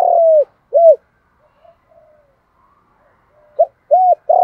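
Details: Spotted dove giving a 'đồng thổ' style coo used to lure other doves and provoke fighting; a long sliding coo and a short arched one, a quiet gap with faint soft notes, then the phrase starts again.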